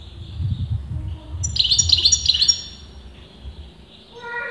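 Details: Brief burst of rapid, high twittering from a European goldfinch whose sex breeders dispute, set against low rumbling background noise and softer distant notes.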